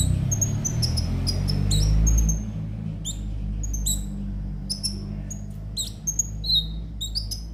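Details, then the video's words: Konin (sunbird) singing, used as a lure for caged birds: fast string of high, needle-thin chirps and short whistles, backed by a loud low hum that fades midway. "pancingan suara burung KONIN agar rajin bunyi tiap hari"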